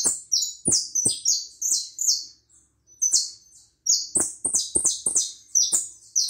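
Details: Hooded siskin from Uruguay in steady song: rapid series of high, bright twitters and short whistles, a brief pause midway, then a denser burst, with scattered sharp clicks.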